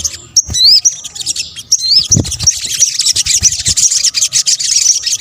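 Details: Sunbird lure sound: two clear swooping whistles early on, then a steady shimmering wash of rapid, very high chips and ticks, with one low thud.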